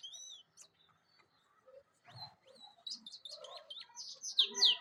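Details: Singing European goldfinch: a few separate high slurred notes with short pauses, then a quicker burst of twittering, tinkling chirps that ends on loud, sharp notes.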